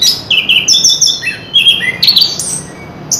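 Chestnut-capped thrush singing a fast, unbroken run of clear whistles and short trills that jump between high and very high pitches, over a faint room hum.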